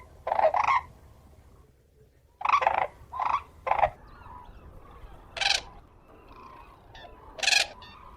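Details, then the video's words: Crane giving loud harsh calls in paired bursts, with a gap of about two seconds and then single calls spaced roughly two seconds apart over a faint low rumble. "Голоса птиц как поёт Журавль (Grus)"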